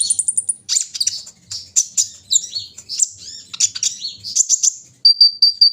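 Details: Brown-throated sunbird in the morning dew, pouring out a fast chattering string of high twitters and buzzy notes, ending in three clear, evenly spaced piercing whistles.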